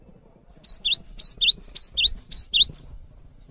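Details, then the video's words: Cinereous tit song for tutoring other caged birds: a brisk, regular series of roughly four phrases, each a piercing high note then two slurred descending whistles, over a soft low murmur. "GELATIK BATU GACOR ANTENG UNTUK MASTERAN"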